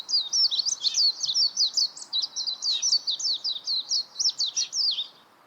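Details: Warbling white-eye singing: a fast, continuous warble of high, twisting chirps, rising and falling notes strung together without pause for over five seconds, with faint low background hum.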